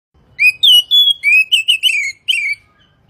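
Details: Oriental magpie-robin (kacer) singing, a masteran tutor recording for morning and evening; about nine loud, clear whistled notes in quick succession, slurred and sweeping down, packed into two seconds of rich phrasing.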